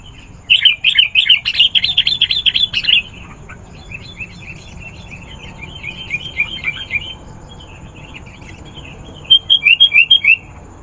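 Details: Sooty-headed bulbul song used to call wild birds: rapid runs of bright chirping notes, dense at first, then softer scattered phrases and a final quick burst of repeated chirps.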